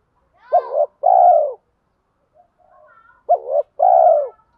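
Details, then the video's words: Decoy spotted dove giving "giọng thổ" coos mixed with "thúc đấu" challenge calls to bring wild doves in; two deep paired phrases, a quick curling note then a long even coo, with faint murmuring notes in the pause. "chim cu gáy giọng thổ pha thúc đấu rút bổi nhanh về"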